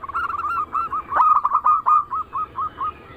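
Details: Zebra dove cooing used as a lure to make other zebra doves sing: a quick run of short, rolled coo notes at an even pitch, slowing into separate spaced notes toward the end.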